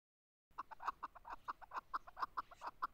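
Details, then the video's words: Chukar partridge calling with a fast series of short, clucking chuk notes, about two per second, steady and rhythmic after a half-second of silence. "chakor voice"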